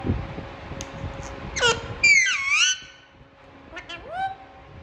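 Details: Indian ringneck parakeet, one of several talking parrots making natural sounds: a harsh, harmonic squawk sliding down, then a wavering nasal call, later a short rising upslurred note, over a low steady hum and faint background noise.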